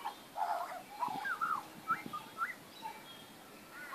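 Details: Magpies in a backyard, 19 April 2014, uttering a few short, clear warbled notes and upward slurs separated by pauses, against faint low background rumble.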